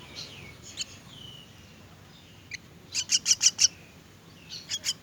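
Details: Myna chicks being fed call in scattered harsh chirps, then a quick burst of four or five loud raspy begging notes near the middle, with a brief thin whistle between bursts.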